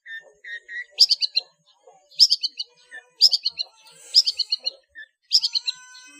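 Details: Long-tailed shrike singing for use as a master recording for cage birds: bright descending bursts of four or five chips repeated about once a second, separated by short soft whistles.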